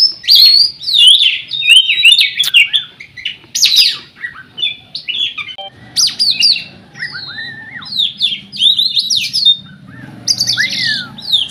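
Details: Competition Oriental magpie-robin from Riau, Indonesia, unbeaten at provincial level, delivers a rapid, varied run of sharp whistled phrases, slurred upsweeps and chattering notes with short pauses, over a faint low hum.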